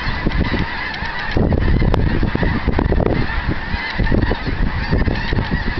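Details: Snow geese covering a field near Eagle Lake, Texas, on 7 February 2011, lifting into the air. A loud, swelling din of countless honks, with strong low rumbling that grows after the first second.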